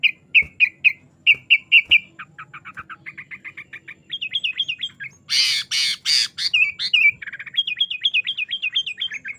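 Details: Lively 'gacor' sooty-headed bulbul song with 'isian' fill-ins, meant for training caged birds: bright whistled notes in quick series, a soft fast trill, a stretch of harsh noisy bursts, then bouncing up-and-down whistled phrases.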